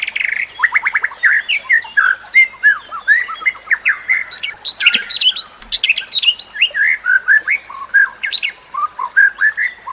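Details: White-rumped shama song used as training material for other shamas: rapid, varied phrases of whistled and chattering notes, sweeping up and down with bright high flourishes, delivered continuously without pauses.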